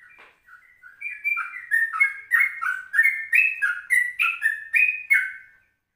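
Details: Yellow-vented bulbul recorded in the morning at 04:30 as a lure and ropelan-style tutor song. Fast, rhythmic chains of liquid, slurred syllables build in loudness and repeat about three times a second before stopping.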